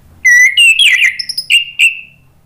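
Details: Orange-headed thrush singing to draw other thrushes into song: a rising whistle, a rich warbled cluster of slurred notes, then two short bright whistles and a trailing fading note, loud against near silence.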